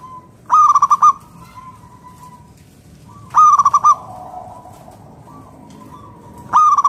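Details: Zebra dove of local wild type, used to lure others into song: three loud bursts of rapid staccato cooing roughly every three seconds, each ending in a fainter level tone.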